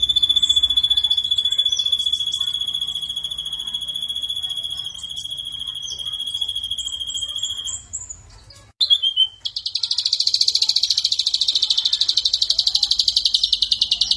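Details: Vigorous ashy drongo song used as a lure, with a rich filling of borrowed phrases. A long, even, high trill is held steady for about eight seconds, breaks off, then gives way to a harsher buzzy rattle.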